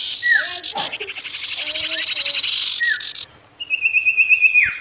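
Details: Energetic sirtu song used to anger and attract wild rival birds: a short falling whistle, a long buzzy grating phrase, then a rapid high trill ending in a downward slur.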